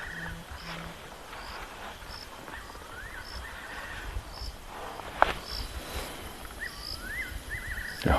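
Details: Fiery-necked Nightjar calling at dusk over a dam in a Lowveld game reserve, South Africa, 10 March 2024, with about ten nightjars drinking on the wing: soft, liquid whistled phrases sliding up and down over evening hum, insect-like pips and knocks.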